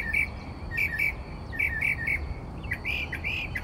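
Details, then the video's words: Mockingbird of Texas singing at night around 4 am; rapid chirpy notes in clusters of two or three, repeated about every second, over low background noise. "Mockingbird Singing Outside My Bedroom Window...at 4am!"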